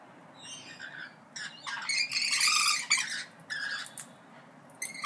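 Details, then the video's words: Parrots give a few nasal calls, then a burst of loud overlapping harsh squawks, then quieter scattered notes over background hiss. "ΠΑΠΑΓΑΛΟΙ ΣΥΖΗΤΟΥΝ (PARROTS DISCUSSION)"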